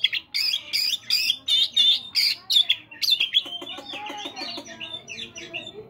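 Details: Oriental magpie-robin morning song meant to prompt caged birds: a fast series of harsh, buzzy notes repeated about three per second, trailing into softer twittering and chattering.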